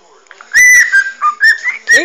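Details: Pet parrot being scratched on the head indoors, phone-recorded, producing a short series of pure whistled notes that slide and step up and down, with a soft chattering squeak at the end.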